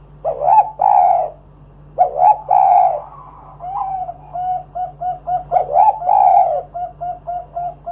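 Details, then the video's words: Spotted dove song used to lure other doves into singing: paired mellow coos, each a short note then a longer rolling one, repeated with pauses, followed by a run of softer, shorter hoots. "Tekukur Kuk 1 Gacor Suara Panggilan Burung Derkuku agar Bunyi Gacor Manggung"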